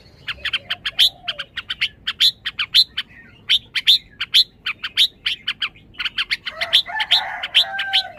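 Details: Red-whiskered bulbul pouring out dense, bright chirped notes almost without pause, some with clear whistled tops. A harsher, fuller chattering passage with a steady lower tone closes the last two seconds.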